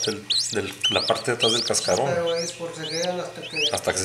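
Thin, high chachalaca peeps, each rising then dropping, come about twice a second while a person talks throughout.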